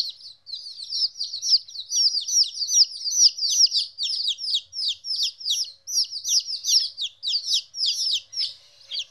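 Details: Fourteen-day-old domestic chicks, newly separated from their mother for the first time, peeping continuously: dense overlapping high, downward-sliding cheeps from several birds, about two or three per second, with no other sounds.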